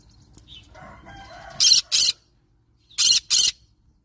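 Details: Two paired harsh screeches from a yellow-sided green-cheeked conure, each pair of short noisy bursts about a second and a half apart, preceded by faint softer chatter.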